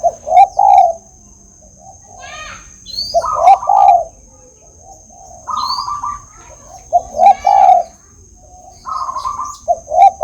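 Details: Tame spotted dove in full voice, repeating deep, throaty coo phrases of several linked notes, one rising to a stressed, slightly higher ending, the pattern returning roughly every three and a half seconds.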